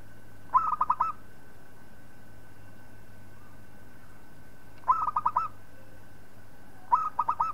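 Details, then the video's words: Local zebra dove singing, kept as a tutor recording for training other birds: three short bursts of five or six quick, rolling cooing notes, each phrase lasting about half a second and spaced several seconds apart, over a steady low hum. "Suara Perkutut Lokal Palng Zos Untuk Masteran"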